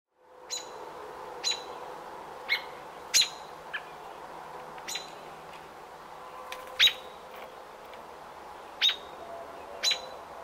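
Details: Robin at its nest on nesting day 28, 5 June 2018: sharp, high single chirps spaced irregularly a second or more apart over a steady low hum.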